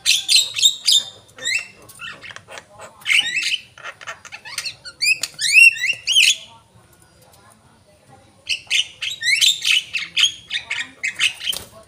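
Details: Javan myna in busy song: clusters of loud, rising, squeaky whistles and harsh notes, then a quiet gap of about two seconds before another chattering burst.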